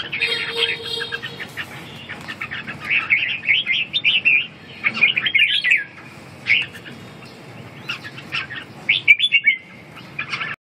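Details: Lively red-whiskered bulbul song: a long series of bubbly, fast-modulated whistled phrases delivered in bursts with short gaps, some notes sharply rising, plus a brief low steady tone near the start.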